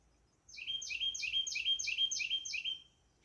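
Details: Carolina wren singing on a warm June 14, 2024 day with a slight breeze, identified with a bird-sound app and noted as very loud and vocal. A rolling run of seven identical ringing, downslurred phrases, about three each second, over a faint low rumble.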